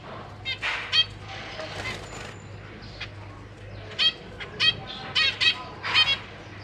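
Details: Caged zebra finches, a parent pair with three juveniles and three newly hatched chicks, recorded 4 May 2023 while parents feed their young; scattered short nasal harmonic calls, in clusters and singly, over a faint low hum.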